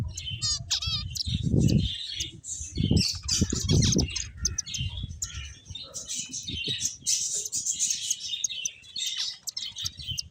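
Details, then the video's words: Several finches playing together, giving a dense stream of high, thin chirps and twittering calls, with a few clear whistled notes early on and low thumps and fluttering beneath. "Cute Finches Chirping Sounds"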